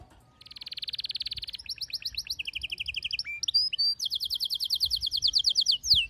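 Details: Pet canary song, a male singing with a female soliciting mating: a dense rattling trill, then quick chip series, a lower rolling trill, brief slurred whistles and a long high rapid trill ending in a downslur.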